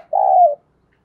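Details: Decoy spotted dove used for luring wild doves, giving a single low, smooth coo lasting about half a second that falls slightly at the end, then silence.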